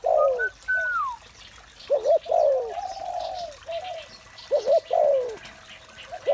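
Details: Spotted dove calling in the morning: low, mellow arched coos repeated in uneven bursts, with a brief higher whistled note near the start and short pauses between phrases.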